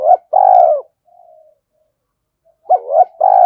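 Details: Spotted dove coo used to stir up decoy birds: a loud drawn-out mellow coo, a faint murmur, then a new phrase begins with quick hooting notes and another long coo.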